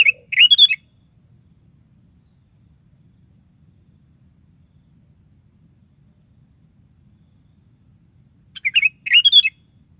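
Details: Sooty-headed bulbul song used to prompt other bulbuls to sing: a short bubbly phrase opens, then eight seconds of near silence, then two more rapid fluty bursts.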